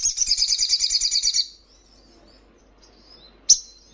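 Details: Crimson sunbird song used to train caged birds to respond: a fast, pulsing, very high trill of about one and a half seconds, followed by near silence and a single sharp high chip.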